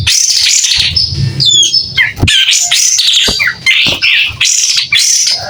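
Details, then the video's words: Lively song from a white-rumped shama fanning its tail, with a clean tone: fluty high phrases, quick downslurred whistles and buzzy chatters, broken by short pauses, and some soft low rumble near the start. "Kapas tembak gacor buka ekor.. SUARA JERNIH"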